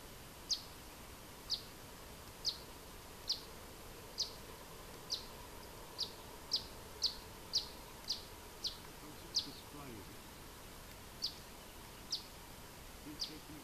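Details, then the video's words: Vocal territorial male Eastern Bonelli's warbler in Bulgaria on 9 April 2018 gives short, sharp high notes about once a second, with a brief pause near the end, over a steady background hiss. "Vocal Territorial Male Eastern Bonelli's Warbler"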